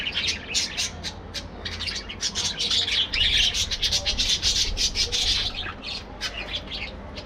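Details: Aviary colony of budgerigars busy in the morning, breeding and playing: dense, loud chirping chorus of quick high twitters from many birds, rising and falling in waves.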